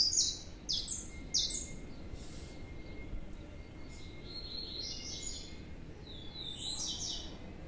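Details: Young captive Blue-black Grassquits, two separated birds: three sharp high buzzy notes open the recording in quick succession, then softer scattered chirps and a faint steady whine in the background.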